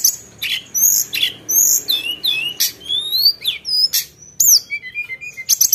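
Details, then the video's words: Lively Sunda bush warbler song in the sharp 'nembak' style: a continuous stream of high, thin, upslurred and downslurred whistles with sharp clicks and chips, almost without pause. "Tledekan Gunung Gacor Isian Nembak Tajam"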